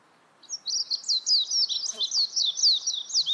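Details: A warbling white-eye breaks into a rapid, high-pitched twittering warble after a brief quiet start, notes sliding up and down in quick succession, with a soft click midway.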